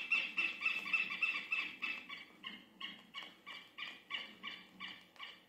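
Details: Southern lapwing (Vanellus chilensis) alarm call, marking the movements of strangers in its territory: harsh, strident notes repeated about three times a second, loud and insistent.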